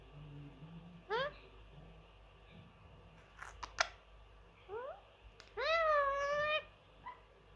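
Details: ['Pet Indian ringneck parrot, a 3-year-old male that says many phrases and tries to whistle a football club song, gives a short rising harmonic note, another near five seconds, then a longer wavering voiced sound, with faint clicks and room noise.']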